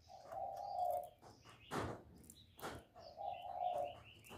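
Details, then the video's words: Spotted dove cooing as a trapping lure: two long, smooth, low coos about three seconds apart, separated by loud sharp clattering clicks. "CHIM CU GÁY CƯỜM CỰC CHẤT, TIẾNG CHIM CU ĐI BẨY HIỆU QUẢ"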